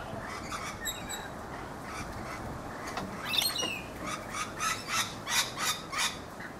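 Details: Rainbow lorikeets in a backyard guava tree in Brisbane, Australia, producing a run of rapid shrill screeching bursts that grow louder and more regular in the second half, several per second.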